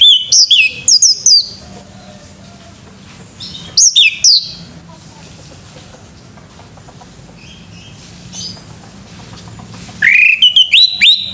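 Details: Male orange-headed thrush in the morning, giving three brief bursts of quick, high, twisting whistled notes spaced several seconds apart, with low background hum between them.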